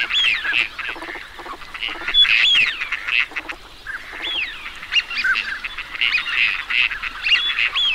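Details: Many teal calling together: bursts of bright whistled peeps and rising slurred notes over soft, low nasal quacking, the chorus dipping briefly in the middle before surging again.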